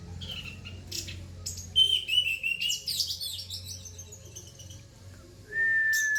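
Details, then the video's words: Orange-headed thrush song in rough, dense, loud style: varied scratchy twittering phrases and short whistled notes in quick succession, ending with a long steady whistle, over a low background hum. "tembakan anis merah rapat vol tembus materi kasar"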